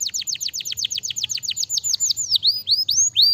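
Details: Canary singing a quick, steady run of downward-sweeping whistles about six per second, then slower, wide upward-curling notes, all high and clear over a faint low hum.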